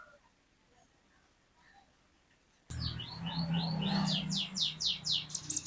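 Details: Cinereous tit (glatik batu): near-silence for over two seconds, then an abrupt start of quick, repeated upslurred whistles, growing louder, over a steady low rumbling background.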